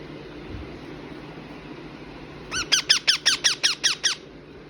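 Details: Young rose-ringed parakeet indoors giving a quick run of about nine sharp, rising squawky notes, several per second, after two seconds of quiet room hum.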